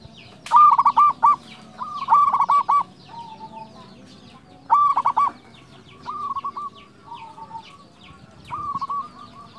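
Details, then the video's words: A big-voiced local zebra dove used as a lure and singing tutor for silent doves. It repeats short phrases of fast, rolling coos over several seconds, some loud and some softer, while thin chirping from other birds continues in the background. "PERKUTUT LOKAL GACOR SUARA BESAR"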